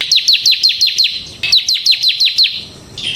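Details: A ciblek semi, the bar-winged prinia, sings continuously in ngebren style. High, bright descending notes repeat in a fast steady train, broken once by a short gap, then a final higher note.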